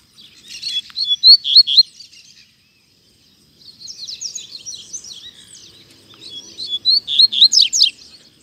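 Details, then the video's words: Rusty-collared seedeater singing hard, free in a town square in Brazil: three bursts of rapid, high, slurred and buzzy whistles, each about two seconds long, separated by short pauses. "Coleiro Batendo Forte - Solto Na Praça!!!"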